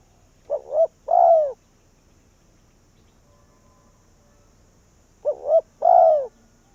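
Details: Caged decoy spotted dove luring wild doves, Vietnam: two hollow cooing phrases about five seconds apart, each a quick doubled coo and a longer, downward-sliding note, with quiet pauses between.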